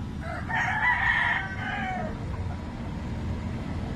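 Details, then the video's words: A rooster crowing, usually heard in the morning; one hoarse, somewhat distant crow lasting under two seconds, then only low background rumble. "Roosters Crowing Compilation/sounds of rooster"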